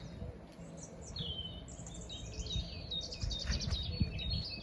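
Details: Birds singing at 7am on a drizzly morning, several high thin whistles and quick chirping phrases overlapping, over a steady low rumble and patter of background noise.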